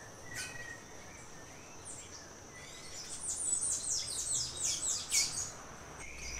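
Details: In the cloud forest around Mindo, Ecuador, at Refugio Paz de las Aves and San Tadeo, a velvet-purple coronet gives a fast burst of high, sharp, descending chips for about two seconds, with scattered lower whistles from other birds before and after.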